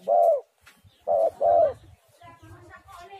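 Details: Spotted dove song used as a lure to start doves singing: three loud, husky coos, a single one, then a pair, followed by softer low murmuring and faint background noise.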